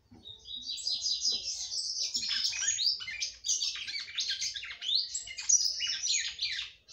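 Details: Caged female red-cowled cardinal singing heavily to arouse the male, a continuous stream of high, rapid chirps and twittering warbles lasting the whole stretch with only one short break.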